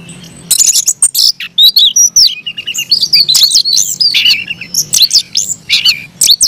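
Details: Kacer or Oriental magpie-robin giving an aggressive fighting song as a kept bird: long rapid series of loud high chips, whistles and twisting slurs, tightly packed and nearly unbroken.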